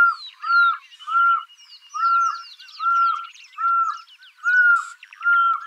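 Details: Pearl-spotted owlet giving a steady series of level whistles, a little more than one per second, against a background chorus of high chirps and sweeping calls from other birds.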